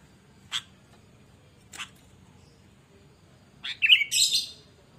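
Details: Sooty-headed bulbul in chatty singing form, a recording meant to draw out and tutor other bulbuls: two sharp clicks, then a burst of bright, slurred whistled notes at the end.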